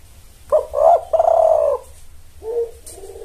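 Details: Spotted dove luring males: one loud phrase of two short rising notes and a long level-to-falling coo, followed by softer, lower hoarse notes near the end.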